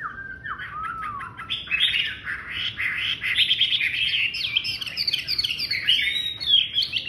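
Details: Chinese hwamei singing loudly, a female noted for a ringing, booming voice, opening with clear slurred whistles then breaking into rich, fast, varied warbling phrases with rapid trills, continuous throughout against a low background hum.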